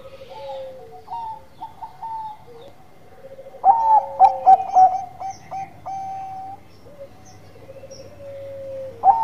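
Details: Zebra dove, Bangkok variety, singing manggung. Scattered soft coos are followed by a loud stuttering phrase of quick notes, a lower held coo, and a fresh loud note at the end.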